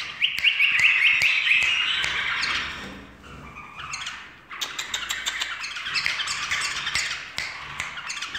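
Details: Bulbul singing in full voice to finger clicks: harsh, buzzy chattering notes and bright warbles, a brief dip, then scratchy twittering phrases punctuated by sharp clicks.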